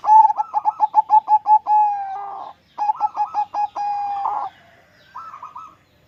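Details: Caged zebra dove recorded at close range with a mobile phone, starting to sing once it settles: a fast run of about nine pulsed, mid-pitched coos, a drawn-out note, another staccato burst and long note, then a short trailing phrase.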